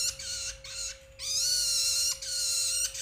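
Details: Juvenile Long-tailed Shrike, a grasshopper- and beetle-eating bird of open country, giving harsh, rasping, noisy calls in bursts of about half a second to a second, separated by short pauses; a steady low electrical hum runs underneath.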